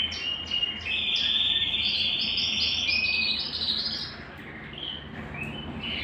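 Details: Song of a Belgian canary, used to get a cold canary singing: fast, buzzy rolling trills that shift in pitch from phrase to phrase, loudest early then fading slightly, over a faint low electrical hum.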